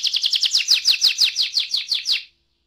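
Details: Canary song for drawing other canaries into song, a brief burst of fast repeated descending chirps that stops abruptly into silence.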